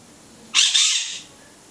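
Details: A conure's call: one harsh, loud screech of about seven tenths of a second, bright and high, breaking briefly midway, in an otherwise quiet room.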